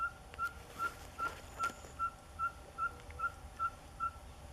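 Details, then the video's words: Ferruginous pygmy owl giving a long series of short, even, whistled toots on one pitch, about two and a half per second, steady and regular, over faint background hiss and a few distant clicks. "Ferruginous Pygmy Owl (Glaucidium brasilianum)"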